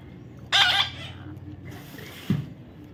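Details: Young parrot in the middle of taming gives one loud, grating screech, followed by a quieter rasp and a low thump.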